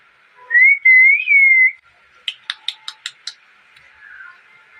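A rose-ringed parakeet gives one long, smooth, slightly wavering whistle, then six sharp, loud chirps in quick succession, about five per second.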